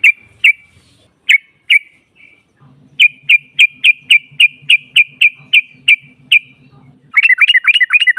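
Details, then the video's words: Female sooty-headed bulbul calling to provoke rivals: sharp single chips that steady to about three per second over a faint low buzzing, then a sudden dense burst of rapid looping notes at the close. "SEKALI PUTAR SEMUA TRUCUKAN NYAUT NGROPEL Seketika"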